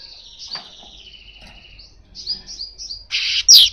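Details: Asian golden weaver song used as a lure for catching birds: thin high whistles, a long descending trill, then sharp rising chirps and loud buzzy bursts near the end, over a quiet low hum.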